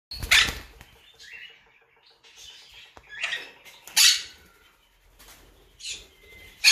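A monk parakeet gives three harsh, grating screeches about two seconds apart, with softer chattering and squeaky notes between them.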